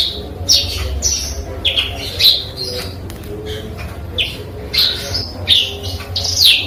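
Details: Tutored Eurasian tree sparrow giving song that imitates canary and cigun material: high, squeaky, sweeping notes and short buzzy phrases in irregular bursts over a faint low hum.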